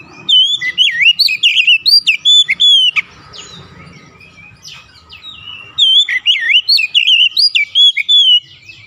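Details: Oriental magpie-robin song used to provoke other magpie-robins into singing: loud, rich whistled phrases with rapid up-and-down slurs and quick notes, in two bursts separated by a quieter pause with faint low background noise.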